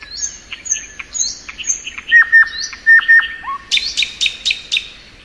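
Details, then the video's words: Thrush nightingale singing in spring: a varied phrase of thin high notes and short clear whistles, some slurring down, then a series of five loud, harsh, clicking notes delivered in quick, even succession. "Nightingale Song."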